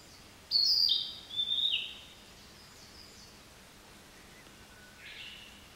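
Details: Narcissus flycatcher song: one bright, high whistled phrase with quick wavering notes stepping downward, then silence and a faint lower whistled note near the end.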